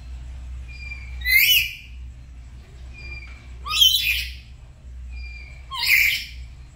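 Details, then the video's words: Pet black-capped lory kept at home, two birds duetting in the morning while learning loud 'gacor' chatter: three harsh, rasping squawk bursts about two seconds apart, with thin level whistles between them, over low steady hum. "Belajar Gacor pagi pagi | Duet Nuri Kepala Hitam"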